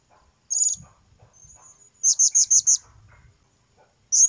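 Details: Blue-crowned hanging parrot giving sharp, very high-pitched chirps: a single note, a faint thin whistle, then a quick burst of five clipped notes, and one more chirp at the end. Low rustling and handling noise sit underneath.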